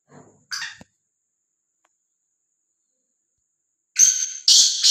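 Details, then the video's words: A free-roaming black francolin gives a short rasp, then after a pause begins another loud, buzzy, grating call that is cut off. "Kala Teetar | Azad Gumna vala Bedar Kala Teetar | Black Frankoline | آزاد بےڈر کالا تیتر"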